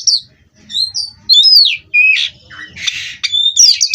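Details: Caged Oriental magpie-robin, known locally as kacer, giving clear high whistles and sweeping slurred notes broken by two loud raspy bursts, ending in a jumble of high chirps.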